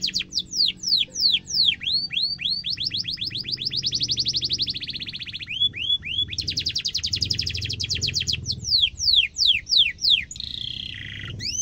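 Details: Canary delivering a long, sharp rolled song used to teach young canaries, alternating rapid high trills and repeated downward-sweeping whistles, with low background noise throughout.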